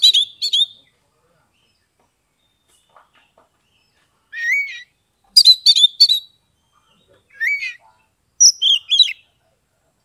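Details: Oriental magpie-robin, Kebumen, Central Java, Indonesia, song to coax silent birds; scattered bursts of quick chirps and rising whistled notes separated by gaps of one to two seconds.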